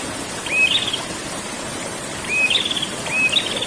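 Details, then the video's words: Three quick phrases of a prinia's ngerol song, each a short level whistle turning into a scratchy high trill, set against an even background hiss. "burung prenjak ngerol"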